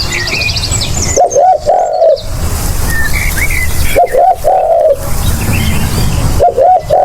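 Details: Spotted dove giving low, rolling coo phrases, each a quick pair of notes sliding into a longer drawn-out coo, repeated about every three seconds; thin chirps from other birds above and a steady low rumble beneath.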